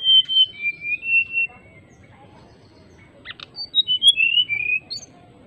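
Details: Greater racket-tailed drongo singing actively, calling an opponent with flute-like whistling: two bursts of slurred, gliding whistles that step downward, separated by a quiet pause broken by a sharp click, then another run of falling whistled notes.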